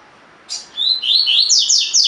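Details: Spirited caged double-collared seedeater, tui-tui style training song: a sharp high note, then a clear whistle and an accelerating string of loud, bright descending slurs running to the end.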